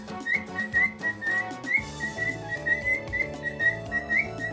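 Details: Pet parrot (a cockatiel or a monk parakeet, kept together), one of which sings nonstop, whistling a run of bright, rising notes, about two a second, over steady background music.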